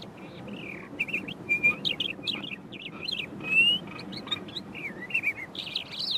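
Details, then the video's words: Eastern clapper lark singing from a low perch and mimicking other birds rather than giving its flight display whistle: a varied, fast run of high chirps, twangy slurred whistles and clicks, with brief pauses. "Eastern Clapper Lark mimicking from low perch"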